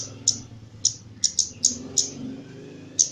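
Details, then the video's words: Caged Javan myna singing actively under training: seven sharp, very high ticking chips spaced about half a second apart, some in close pairs, over a steady low hum. "KEMADE JAWA GACOR"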